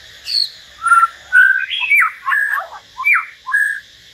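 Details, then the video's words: Common hill myna singing solo alongside a white-rumped shama, giving a run of clear, varied whistles and slurred notes, about two phrases a second, some rising sharply and others falling. "Chim nhồng và choè lửa hót solo"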